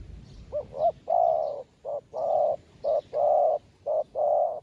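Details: A newly trapped dove, being trained on the ground as a decoy to call wild doves, gives soft, hollow coos, short notes alternating with longer drawn-out ones, roughly one each second, over a quiet rural background.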